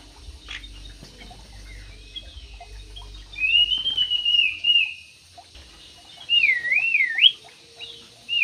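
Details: Javan pied starling voice: a long, high, slightly wavering whistle, a pause, then a sharply looping whistled phrase ending in a rising note, over a quiet low hum.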